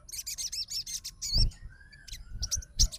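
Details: Sogon fighter answering a rival sogon's song: fast high chirpy twitter for over a second, then a thin drawn whistle and scattered sharp notes over low thumping background noise.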